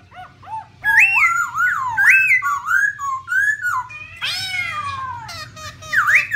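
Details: Black laughingthrush, female with male, giving loud, rich whistled phrases that rise and fall, with a rolling 'ro ro' female call mixed in and a chattering burst near the end.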